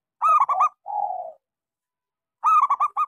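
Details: Zebra dove of a local type, used to stimulate quiet doves to sing, giving rapid bubbling coos ending in a longer held note, then the same rolling coo phrase again after a pause.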